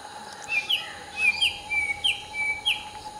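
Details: Hill myna calling during the morning chorus while preening: four or five loud, sharp whistled chirps, each a quick bright note followed by a short trailing tone, spaced about half a second apart, over a low steady hum.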